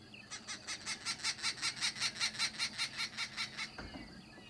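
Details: An arrow-marked babbler at a hide in Pilanesberg National Park, South Africa, on 28 December 2016 gives harsh, nasal babbling chatter of about five rasping notes a second. It is steady for over three seconds, then stops.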